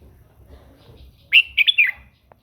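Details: Red-whiskered bulbul singing in the morning to train its voice and prompt other birds to sing: a short burst of bright, warbled whistled notes lasting under a second after quiet, with a faint low rumble beneath.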